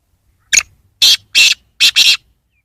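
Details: Black francolin calling one short harsh note, then three loud grating notes, the last a doubled pair, all within about two seconds in an otherwise quiet setting.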